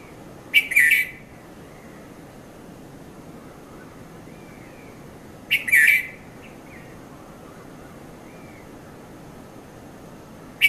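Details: Red-vented bulbul at dawn in Mount Lavinia, Sri Lanka, between 5:30 and 5:40 a.m.; short bubbly chirped phrases repeated roughly every five seconds, with soft distant bird notes in the quiet gaps.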